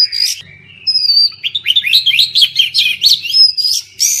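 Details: Oriental magpie-robin song, played to prompt silent birds to sing: a long whistled note, then a quick run of rising and falling chirps high in pitch, ending on bright whistles, over a faint low hum.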